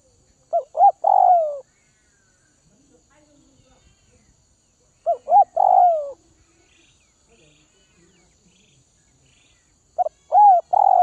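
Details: Spotted dove from Northwest Vietnam, kept and being tamed, repeats the same three-part phrase roughly every five seconds: two clipped notes and a drawn-out mellow croo that drops in pitch.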